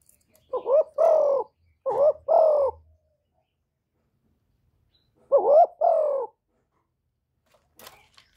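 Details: Spotted dove cooing for luring and stimulating caged decoys: three double phrases, each with a clipped upswept note and then a longer descending hoot. A long gap separates the third phrase, and faint clicks follow at the end.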